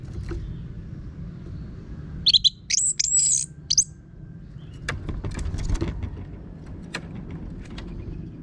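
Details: Orange-headed thrush (anis merah) with a harsh voice, used as a lure to set birds singing: one short burst of high, scratchy chirps within steady low background rumble and scattered clicks.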